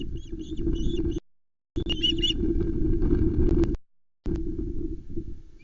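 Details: Nest of ospreys at Loch Arkaig, 19 July 2020, with three chicks competing for a freshly delivered trout. Brief clusters of high chirps rise over heavy low rumbling wind, with a few clicks.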